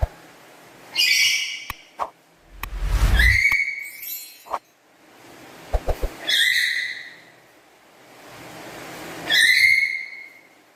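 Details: Black-capped lory kept at home, described as chattering with a loud, melodious voice: four loud harmonic whistled calls, each with a sharp rising onset and a held tone, spaced about three seconds apart, with clicks and a low thump between them.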